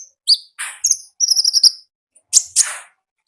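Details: Konin in wild 'gacor ngalas' song: high thin whistles, a buzzy rasping note, a quick jumble of high trilled chips, then two harsh sweeping calls.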